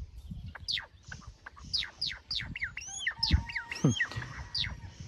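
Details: Pet great myna perched on a twig, singing steadily in a good mood: a rapid string of sharp downward-sweeping whistles mixed with arched and looping notes, over low rumbling handling noise.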